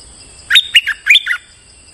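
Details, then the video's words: Streak-eared bulbul in moult, a lure bird, giving one short loud phrase of four or five bubbly whistled notes, each dipping in pitch. "Suara pikat merbah lekir gacor"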